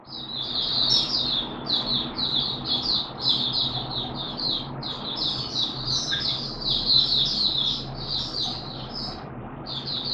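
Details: Malaysian Oriental white-eye in 'buka sing' open singing, Singapore, 29 March 2023, warm humid weather: continuous high twittering chatter running throughout, set against a steady loud background hiss and hum.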